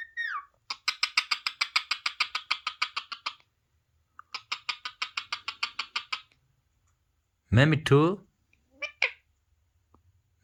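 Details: Pet parrot watching parrot videos on a phone chatters in two long runs of rapid, even clicking pulses, then lets out a harsh, loud squawk and a shorter rough call.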